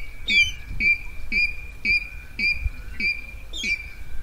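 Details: Rail calling as a night-time lure for net trapping, 2020 recording: sharp, whistled notes with a harsh overtone, repeated evenly about every half second, seven in a row, over a low background rumble.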